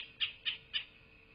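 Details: A bald eagle at a southwest Florida nest, 8 November 2023, 12:47, gives three drawn-out, shrill squealing notes about a quarter second apart, against a constant hum.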